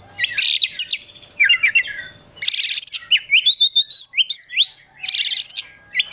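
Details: Prospective contest Oriental magpie-robin in a captive collection, pouring out a dense medley: harsh buzzy bursts, fast repeated chips and a rising sequence of clear whistled notes, nearly without pause.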